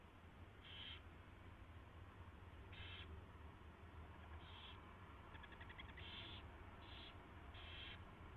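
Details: Owl at the nest during a mouse delivery and feeding, 4:21 AM, 24 February 2016; a series of six harsh high bursts, with a quick ticking rattle mid-sequence, over low steady hum.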